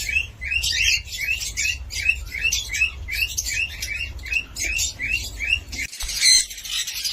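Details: Cockatiel giving a steady series of short, bright chirps, each a quick up-and-down note, repeated about once a second over a low background hum.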